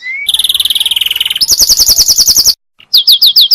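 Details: Canary song meant for tutoring other canaries: a rising whistle opens into a rapid even trill, then a faster higher rolling tour, a brief pause, and a final set of bright looping notes.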